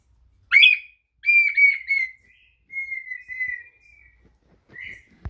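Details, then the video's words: Red-winged tinamou (Brazilian partridge) gives a sharp rising note, then long, pure, gently descending whistles drawn out over several seconds, ending with a short upslurred note and a click. "perdiz brasileira dando show"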